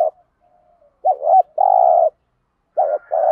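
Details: Spotted dove giving a 'thúc gù' coo for luring wild birds to sing along: a faint soft note, then a wavering two-part note, a long steady coo, and another phrase beginning at the end.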